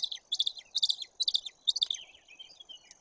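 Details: High, clipped yelping notes of a White-tailed eagle at the nest, Bory Tucholskie, morning of 17 May 2022, webcam; four tight bursts of rapid kli-kli syllables about every half second, trailing into softer thin notes.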